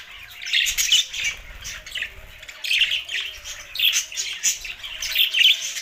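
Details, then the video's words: Budgies chirping in phrases of rasping, squeaky warbles separated by brief pauses, several birds chattering together, with low background hum. "Budgies parrot best chirping sounds"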